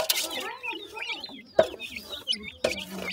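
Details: Baby partridges feeding: a burst of noisy chirping opens, then scattered thin peeps and soft lower notes, punctuated by two sharp knocks.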